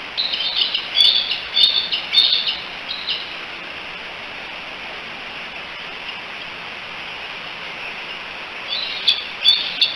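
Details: Three bald eagle young at the Decorah nest, July 16, 2018, calling for their mother: a burst of sharp, high chippering whistles, a long stretch of steady hiss only, then a few more quick chips.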